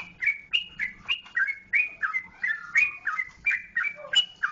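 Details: Jogjakarta trucukan, the yellow-vented bulbul, delivers quick repeated whistled notes, each sliding downward, in an unbroken bouncing sequence of about three per second. A faint low hum sits underneath.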